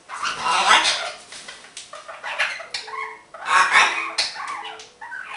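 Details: Happy pet green-winged macaw making noises and a little laughing indoors: loud raspy squawking bursts in two waves, with short tonal, chuckling notes between them.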